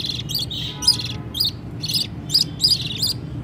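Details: Baby budgerigars calling to be fed as their mother feeds them: sharp raspy chirps with squeaky tips, around two or three per second, some louder peaks, over a quiet low hum.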